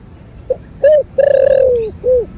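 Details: Spotted dove with the 'thổ bầu' voice, calling to stimulate other birds: a soft short note, a rising coo, a long falling sustained coo, then a final rounded coo, low-pitched and hollow over faint hiss.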